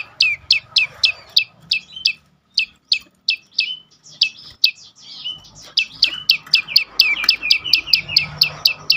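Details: Prinia, known locally as prenjak lumut, in a recording used as a lure to make other birds sing: a rapid series of sharp, high, downslurred chirps, about three to four per second, with short pauses and a faint low background hum.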